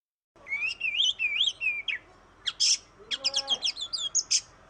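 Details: Oriental magpie-robin chattering song used to prompt others to sing: wavering whistled phrases first, then harsh high bursts and rapid repeated chips, with a faint lower rising whistle underneath.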